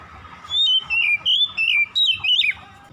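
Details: Oriental magpie-robin singing at dusk: six clear whistled phrases in quick succession, each a slurred note wavering up and down, the last swooping higher then dropping sharply, over a faint steady hum.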